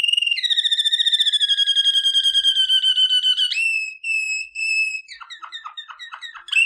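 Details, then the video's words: Waterslager canary singing for training: a long, pure, whistled tone with a fast flutter, then short clear held notes, then a string of quick, dropping chips. "Legendary Waterslager Canary Singing For Training - وتر سلاجر"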